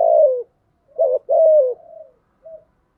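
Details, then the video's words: Spotted dove call in the 'thổ thúc' lure style for stirring wild doves. A long descending coo, then a doubled note and another drawn-out coo that fades into softer warbling, ending with a short low note. "tiếng chim cu gáy giọng thổ thúc gù gáy gọi đủ bài giúp bổi nhanh nổi"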